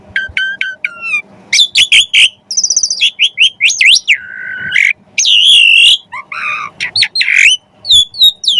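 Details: Javan pied starling song used as training material for magpie-robins to copy: loud, varied phrases of ringing whistles, harsh buzzy notes and sharp chips, with a long rasping note near the middle and a steady faint hum behind.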